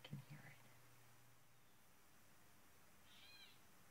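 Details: At night in woods, an owl that sounds like a young owl, perhaps calling for its parents to bring mice, gives one brief, high, wheezy screech of about half a second after a few quiet spoken words over a low steady hum.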